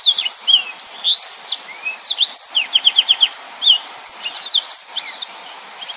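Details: Dense 'nembak' style song of a yellow-fronted canary, used to tutor other birds: continuous high, sweet chatter mixing rising whistles with a quick series of rapidly repeated notes, the phrases packed closely together without pause.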